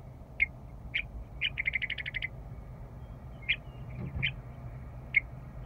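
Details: A stationary western meadowlark back at Rocky Mountain Arsenal National Wildlife Refuge at the start of spring gives single sharp chucks, then a quick run of about eight clipped notes, then more spaced chucks, with low background rumble.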